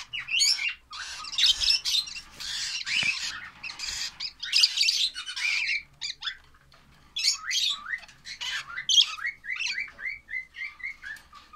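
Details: Young lovebirds make dense, hoarse squawking for several seconds. A brief pause follows, then a stream of thinner rising chirps and scratchy notes repeated unevenly.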